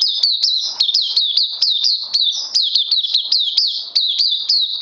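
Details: [1, 'Caged oriental white-eye singing on its second day of supplements, recorded 31 May 2020: rapid high, thin chattering song of repeated rising-falling notes, about four per second, continuous throughout.']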